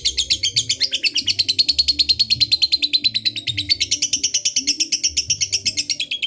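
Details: Lovebird of fighter type singing a long, busy ngekek used to provoke a rival: a fast chattering trill of sharp, buzzy pulses that drifts slightly in pitch, over low, steady background tones.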